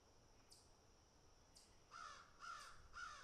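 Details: While crows pick and eat, two sharp high clicks precede a run of three harsh caws at steady half-second spacing.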